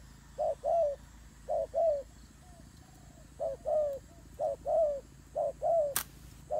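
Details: Turtle doves fighting: paired short coos followed by a longer rolling note, repeated steadily about once a second, with a brief sharp click near the end.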